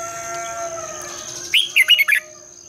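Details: Red-whiskered bulbul singing at dawn as a lure for training bulbuls to sing and compete, in a long double twisting voice: a rolling, looping phrase of four quick warbled notes rising and falling, backed by faint steady humming tones.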